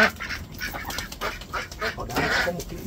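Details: Several domestic ducks quack in quick, harsh, nasal bursts as they are thrown food, while a man talks nearby.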